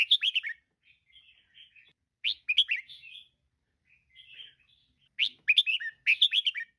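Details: A female red-whiskered bulbul calls, a recording meant to liven caged birds and start them singing; loud rapid chatter bursts alternate with soft, low-key warbled phrases.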